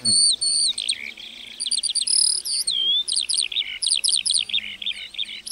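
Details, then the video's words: A lark singing in a meadow pours out a continuous, high-pitched song of rapid chirps, trills and slurred whistles, with hardly a pause between phrases. "Singing lark in the meadow"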